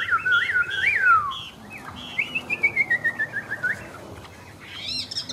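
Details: A newly arrived caged Chinese hwamei at midday during rain sings loud, looping, rising and falling whistled phrases, then a fast run of about a dozen clipped descending notes, ending in high ringing whistles.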